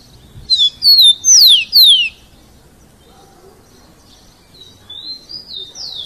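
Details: Rufous-collared sparrow, "Jesus meu Deus" song style: a loud phrase of two level whistles then two steep downward slurs, followed after a pause by a fainter repeat of high whistled notes.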